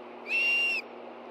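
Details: A single level, shrill whistle lasting about half a second, from an Osprey at a nest in Hellgate Canyon, Montana, 24 August 2013, 10:46 a.m., as a fish arrives for two hungry birds.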